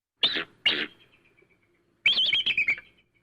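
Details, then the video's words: Eagle calling, used to scare birds: two short harsh bursts, then a rapid chattering series of high, slightly descending notes trailing into a thin whistle. No other sounds. "eagle sounds to scare birds | eagle sound"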